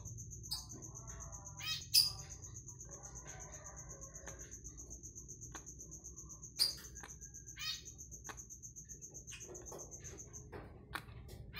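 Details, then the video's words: A sick Eclectus parrot with a cough or respiratory illness gives short, harsh, broadband coughs, two louder ones about four seconds apart, among soft chattering notes, over a steady high-pitched whine. "Nuri bayan sakit batuk / sakit saluran pernapasan"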